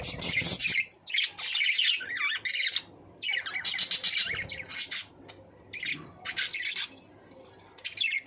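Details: Pet budgerigars during pairing behaviour, chattering in fast, scratchy, high-pitched warbles with squeaky chirps and squawks, in bursts of a second or so with short pauses between.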